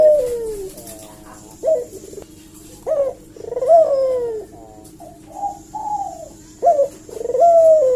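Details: Lure cooing of a Barbary dove to provoke a reply: a steady series of short sharp notes each followed by a falling or wavering purred coo, about five phrases over eight seconds.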